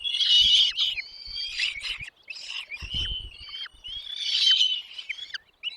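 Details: Parent birds delivering food to chicks in their nest; the young answer with loud scratchy begging at the start and near the end, thin whistled notes between, and soft thumps.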